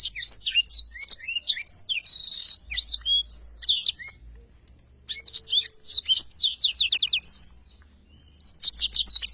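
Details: Tutor recording of a Blackthroat singing its long rolling ngerol panjang song: three bursts of quick, high, varied whistles and chirps, one holding a short buzzy trill, each burst separated by about a second of quiet.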